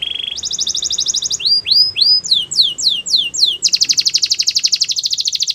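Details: Russian canary sings for training: a low steady trill, a higher buzzing roll, a series of rising swooping whistles and slurred notes, then a rapid dense high trill.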